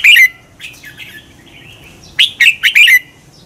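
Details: Red-whiskered bulbul song for stimulating caged birds to sing in competition: a warbled note, soft chattering twitters, then a crisp burst of four descending whistled chirps.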